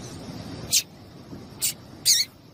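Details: Short high-pitched chirps from a female double-collared seedeater, used to excite the male into singing, come as three brief notes spaced about a second apart, the last a little longer, over a steady low background hiss.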